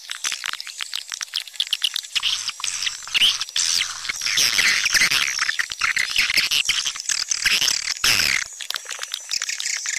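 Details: Swiftlet calling sounds: a steady wash of high squeaky chirps and twitters over a stream of fast clicks, briefly sharper and louder near the end.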